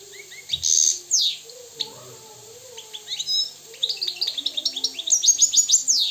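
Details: Moroccan European goldfinch song with loud opening chirps, a pause filled by soft low warbling, then rapid rhythmic high twitters and trills quickening toward the end.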